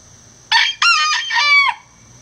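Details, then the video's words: Gold Sebright bantam rooster, three years old, in a backyard farm flock, crowing a morning greeting: a harsh, harmonic-rich crow of a short first note followed by three longer joined syllables, ending with a falling tail, over a steady faint hiss. "Gold Sebright Bantam Rooster Chicken Crowing"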